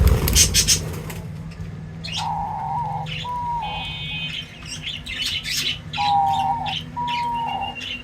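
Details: Feeding birds giving clear, level whistled notes in pairs, mixed with high chirps and rustling over a low steady hum.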